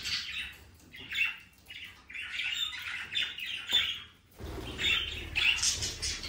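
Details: Budgerigar flock sounds: rasping squawks and fast twittering notes run together, broken by a brief pause, then a louder burst of chirps and low rumble.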